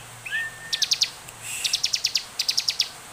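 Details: Bar-winged prinia singing energetically, recorded as a lure to prompt other prinias to sing: a brief high whistle, then quick runs of sharp, high, evenly spaced clicking notes in short phrases.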